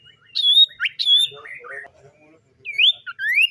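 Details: Morning song of a common iora: bright downslurred whistles and rising notes in quick pairs, a pause with soft chatter, then more loud upslurred and looping whistles.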